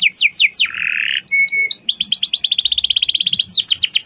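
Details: Lure song of an Atlantic canary for teaching a young canary: sweeping notes, a short harsh buzz, a thin steady whistle, then a long fast trill ending in down-slurred notes.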